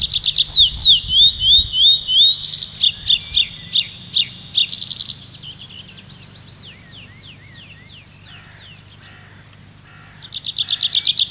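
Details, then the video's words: Nightingale song in a night forest: sliding whistled notes and fast high rattling trills, then a string of separate downslurred chirps before another rapid trill begins. "How beautifully the nightingale sings"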